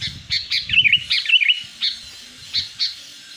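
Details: Sooty-headed bulbul lure call for attracting wild birds: chattering bursts of short, fluty notes with a few twisting whistled phrases, given irregularly over light low rumbling noise.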